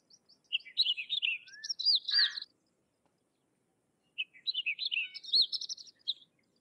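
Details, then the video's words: Sykes's lark singing in India: two long phrases of varied high chirps, slurred whistles and trills, each around two seconds, with a pause between; a quiet, clean background. "Sykes's Lark or Twany Larks Singing - Songs - Call - Sounds"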